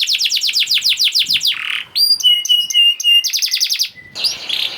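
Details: Canary singing for use as a prompt for canaries that stopped singing; quick repeated whistled sweeps, a brief buzz, paired high clipped notes, then another fast trill and a low whistle.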